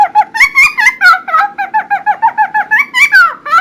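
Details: Loud, lively song of a Helmeted friarbird, recorded for training other birds: a fast run of about fifteen short, bouncy, nasal notes, some rising and some falling, repeated roughly every quarter second with no other sounds.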